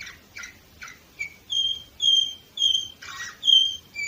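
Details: Canary song from Varna, Bulgaria, 2018, opening with quick chirps before a run of clear, sustained whistled notes repeated about every half second, broken by one brief buzzy burst.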